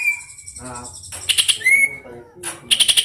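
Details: Greater green leafbird, a tame district-champion contest bird, singing a long fast roll: a sustained whistle, then rapid rattling bursts of high buzzy notes and a rising whistled slur, with faint lower tones beneath.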